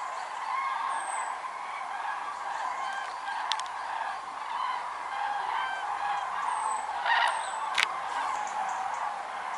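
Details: A vast flock of common cranes at Lac du Der-Chantecoq, Champagne-Ardenne, in autumn 2014, during a record gathering of over 206,000 birds, fills the air with a dense chorus of rolling, trumpeting calls and a few thin high whistles.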